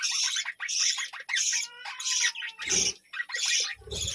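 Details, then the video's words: Budgerigars in a colony at a village home give bursts of harsh, high chirps and chatter with a thin, drawn-out whistle between them, plus some low bumping noise. "বাজরিগার পাখির ডাক ও কিচিরমিচির গান"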